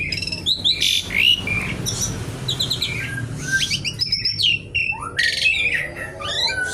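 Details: Javan pied starling in energetic kretekan-style song, a jumble of scratchy bursts, rattles and sharp upswept whistles in rapid irregular succession.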